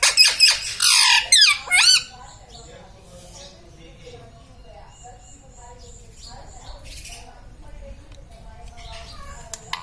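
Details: Talking pet parrot, said to say mummy, papa and radhe radhe; two seconds of loud, sliding harmonic syllables open the recording, followed by quiet room sound with faint high ticks.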